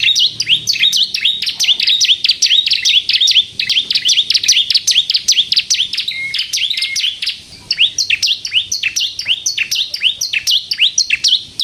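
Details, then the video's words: Bar-winged prinia, a lively singing 'kristal' type, used to lure and provoke other prinias into singing: a fast, continuous run of sharp, high chirps and swooping notes, densely repeated with little pause, clean and loud throughout. "suara burung ciblek kristal gacor untuk pikat dan pancingan ciblek bahan agar bunyi"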